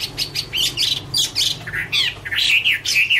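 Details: Singing Chinese hwamei in autumn: a fast sequence of bright, varied notes, some buzzy and some downslurred, given in quick bursts several times a second, then richer slurred whistles.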